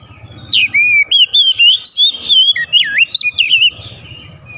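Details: Oriental magpie-robin song: a fast, varied sequence of bright whistles, slurred up and down, with a deep swooping note midway and a thin high whistle trailing off.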